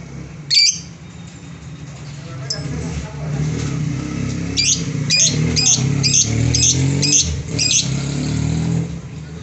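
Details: Lovebird giving sharp, high squawking chirps, first singly and then as a run of about seven repeated notes. A steady low rumble of traffic and vehicles runs underneath.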